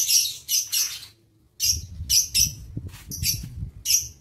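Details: Lovebirds in an aviary, recorded 22 August 2023: sharp, high, buzzy chirps in bursts of two to four, a short pause, then a busier run of overlapping calls, with low rumbling background noise.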